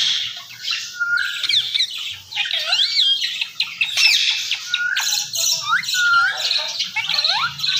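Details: Talking Indian ringneck parakeet, pet bird speaking Urdu/Hindi words: continuous scratchy high chatter mixed with looping, slurred whistles that rise and fall, and a few brief clear whistled notes.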